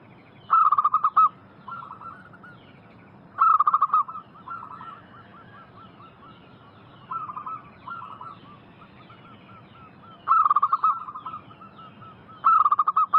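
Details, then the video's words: Local zebra dove used as a lure to prompt wild doves to answer. Loud bursts of rapid pulsed cooing recur every few seconds, each followed by softer rolling coos, with faint replies from other doves in the background. "Pancingan paling Ampuh hitungan detik langsung nyaut. Masteran burung perkutut lokal gacor"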